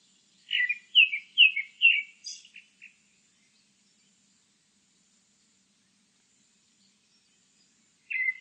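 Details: Grey-backed thrush singing: four loud whistled notes, each falling slightly, repeated about twice a second, then a high thin twitter and soft trailing notes, a long silence, and the next phrase starting.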